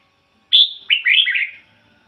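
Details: Single clean song phrase from a caged decoy red-whiskered bulbul in ngoi bổi style: a bright whistled note held briefly, then three or four quick liquid warbles sliding downward.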